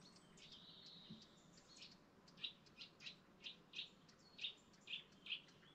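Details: Birds in a dawn chorus by a lake in the Lake District National Park; short bright chirps repeat about every half second after a thin whistled note, over a low steady background rumble.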